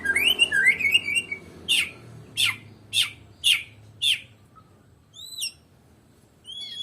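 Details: Medan white-rumped shama singing with no opponent: warbled whistles, then five harsh sharp notes roughly every two-thirds of a second, followed by a few high looping whistles.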